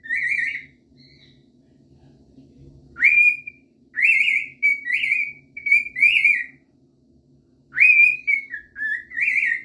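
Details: A cockatiel whistling in a bathroom: clear, ringing phrases, rising and bending, in short bursts with brief pauses.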